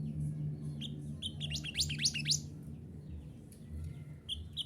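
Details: Mantenan gunung song used to train caged birds to sing. A few high chirps lead into a short cluster of sharp rising notes, then scattered chirps over a steady low hum.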